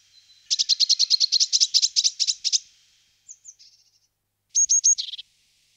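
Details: A Eurasian blue tit (Cyanistes caeruleus) calls: a fast run of about a dozen thin, high chipping notes, then a few high tsee notes ending in a short buzzy churr.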